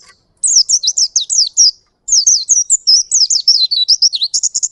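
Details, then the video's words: Oriental white-eye, a wild-type bird, singing a long rolling song: rapid, high, sweet twittered notes run together in two continuous streams with a brief pause between, with no other sounds. "Pleci Ngalas Gacor Ngerol Durasi Panjang"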